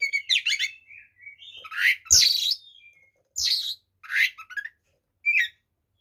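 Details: Fighting song of a white-rumped shama (kacer), played to make other shamas aggressive: mixed whistles, harsh squawk-like bursts and scratchy notes in uneven phrases with short pauses.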